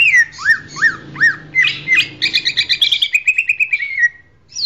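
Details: A champion greater green leafbird, used as a master song for training other birds, sings loud, clear whistles that arc up and down, then a fast run of bright chirped notes, over a faint low hum.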